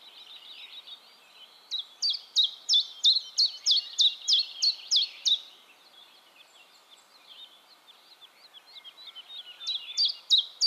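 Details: Common chiffchaff song from Heemskerk, the Netherlands, taken with a RØDE VideoMic: a run of about twelve crisp, high, downward-flicking notes at a steady three per second, a pause, then a fresh phrase begins.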